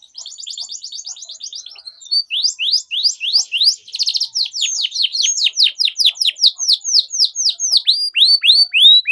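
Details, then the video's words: Canary song used to train young canaries: a fast warbled trill, then a long steady series of rising and falling high sweeps, about four per second. "PANCINGAN Kenari GACOR PANJANG Cuit CUIT Ini Ampuh Untuk MASTERAN PAUD Kenari Belajar BUNYI"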